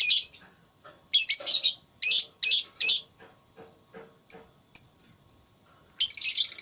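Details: Lovebird at a singing contest delivers a quick string of harsh, shrill, buzzy bursts, then two short high squeaks and a final rasping chatter, with soft ticking underneath.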